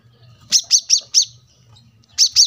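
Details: Brown-throated sunbird, gacor masteran recording made to train cage birds, house by a road: four crisp, very high chirps in quick succession, a pause, then two more, over faint low rumble.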